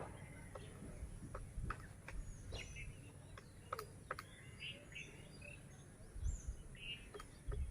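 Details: Rare grey woodpecker chiselling a nest hole in a large siris branch during breeding season, mate perched nearby, Kazirgaon-Kheterpara village, Lohajong upazila, Munshiganj district; sharp irregular taps scattered through the clip beneath chirping songbirds and a low rural rumble.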